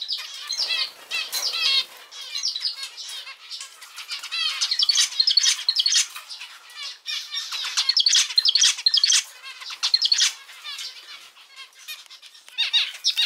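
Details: Male zebra finch, a domestic bird, delivering long sequences of rapid buzzy and ticking notes, phrase after phrase with short gaps, strong and close throughout.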